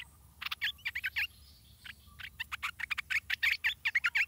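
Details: Stripe-throated bulbul chick at the nest being fed by its parents; rapid bursts of short, harsh chirps in quick clusters, pausing briefly and then resuming faster and louder.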